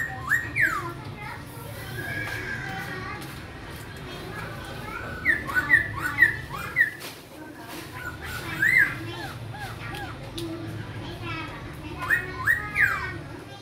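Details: Black-throated laughingthrush from Cao Bằng, a caged youngster whose tail is just sprouting, repeats bursts of loud whistled phrases with rising and falling slurs, several notes per burst and pauses between, with faint voices and hum behind.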